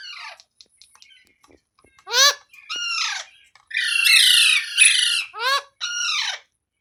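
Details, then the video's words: Green parrot calling in a run of harsh, downward-slurred squawks and screeches, some short and some drawn out, loud against a quiet background. "Green Parrot Talking Natural Sounds | Tote Ki Awaaz | Mitthu Ki Awaaz"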